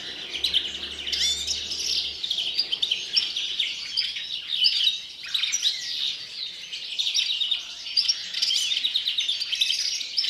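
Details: Captive European greenfinch singing before the breeding season: a continuous, rapid twittering of bright trills and chirps, with no real pauses, and a faint low hum in the first two seconds.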